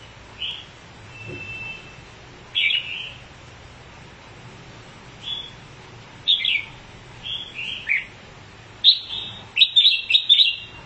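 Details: Red-whiskered bulbul that spreads its wings as it sings, giving brief high chirped phrases separated by pauses of a second or more. The phrases grow more frequent and tumbling toward the close, over a faint low hum.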